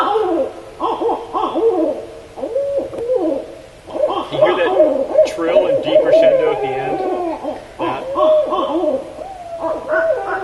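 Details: Barred Owl recording from Northern California forest sounds, played back: overlapping excited hoots and wavering trills, some ending in falling, deepening tones, with a monkey-like, primate quality, calling almost continuously over ten seconds.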